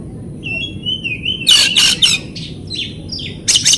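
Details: Oriental magpie-robin song used as a lure recording to prompt silent, stressed birds into singing: a long wavering whistle, then a burst of harsh, buzzy chattering notes and a final rasping pair.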